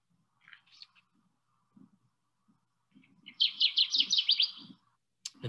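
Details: Male Kirtland's warbler sings a loud, liquid burst of about eight quick, rich notes lasting just over a second, after a few faint short notes; a low murmur and a click follow.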